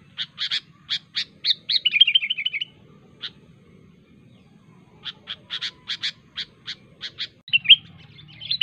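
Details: Sooty-headed bulbul in the wild, its sharp call used to summon rivals: bright bubbly phrases of quick chirps and a short warbled run, a gap of silence, then another string of crisp separated notes.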